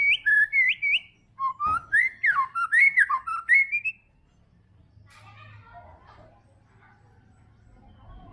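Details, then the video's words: White-rumped shama (murai batu trotol) delivers about four seconds of rapid, jumpy whistled notes, rising and falling in quick succession, then goes quiet with soft background noise. "MURAI BATU TROTOL GACOR! WHITE RUMP SHAMA BIRD CHRIPING"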